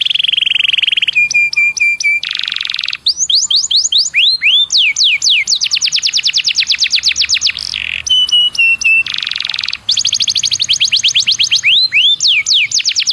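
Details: Canary song used as a lure to get other canaries singing: rapid trilled tours of repeated notes, buzzy steady rolls, low flat whistles and fast descending sweeps alternating at high pitch, loud and clean.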